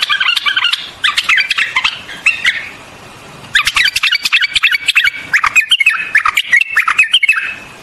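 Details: White-eared bulbul singing in two dense bursts of chattering, warbled notes mostly at mid-high pitch, broken by a pause near the three-second mark, with many sharp clicks mixed in.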